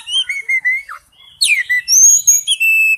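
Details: Oriental magpie-robin singing in forest style: pure level whistles and a dropping slur, a brief pause, then a steep downward sweep into long sustained high whistled notes.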